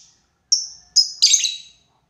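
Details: Lovebird calling a rival, a lure of long ngekek: two sharp, high chirps followed by a longer harsh, buzzy screech, all within about a second.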